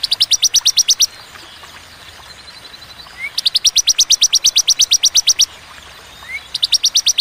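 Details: Ciblek, the bar-winged prinia, giving a clean 'tembakan' song with pauses: fast runs of piercing high notes, a long run of about twenty, with short lower upslurred calls between runs.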